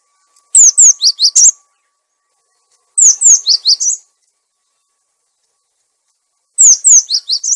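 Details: Cinereous tit lure recording with a clear voice, also used to tutor caged birds that have stopped singing: three bursts of sharp, high descending chirps, each five or six notes fast, separated by silent gaps.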